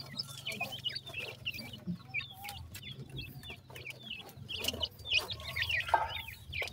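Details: Several young partridge chicks peeping as they feed, thin high whistled notes with quick bending slurs, repeated continuously in an overlapping chatter, with a low background hum and occasional soft clucks.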